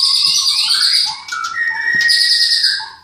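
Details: White-rumped shama kept at a breeding farm in Klaten: high, sustained whistled notes layered over lower sliding tones. Faint clicks and taps sound underneath.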